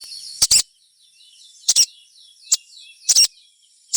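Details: Sogon song used to prompt other sogons to sing: sharp high chirps in short doubled bursts roughly every second, with faint thin twittering between them.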